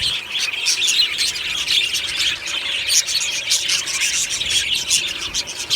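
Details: Morning chorus of a budgerigar colony in an aviary, described as happy singing and chirping: dense, continuous high chatter of overlapping warbles and sharp chirps from many birds, with no pauses.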